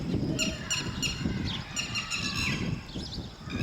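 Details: Lapwing calling while guarding its chicks: sharp, harmonic-rich notes repeated in quick bursts, with a steady low rumble of background noise underneath throughout.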